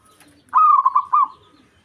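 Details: Zebra dove of a local Javanese strain, in breeding mood and provoking a rival, gives a single loud, rapid, trilling cooing phrase of about three quarters of a second.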